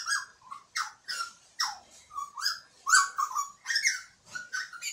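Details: Butcherbird singing; varied phrases of clear, fluting whistled notes mixed with brief scratchy, buzzy elements, each phrase lasting under half a second with short pauses between, in a quiet setting.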